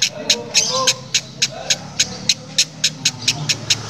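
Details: Odd rasping cackle of a female lovebird, said to sound like a diesel engine, as a string of short scratchy clicks about three per second with faint talking in the background.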